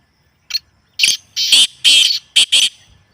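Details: Black francolin calling, played to make a kept bird active and vocal: a clipped opening note, then a rapid run of harsh, rasping, buzzy notes, roughly two a second. Grating and loud against a quiet background.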